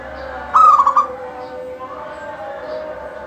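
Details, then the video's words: Lively local zebra dove in steady song, its voice meant to make other doves sing: one bright, quickly broken coo phrase, with soft chirps and a low murmur around it. "Suara kutut lokal gacor full manggung"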